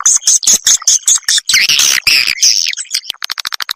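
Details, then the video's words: Edible-nest swiftlet calls used to lure swiftlets to farm houses: rhythmic high chirps about five per second, then a rough buzzing twitter, ending in a rapid run of short clicks. "SUARA BURUNG WALET"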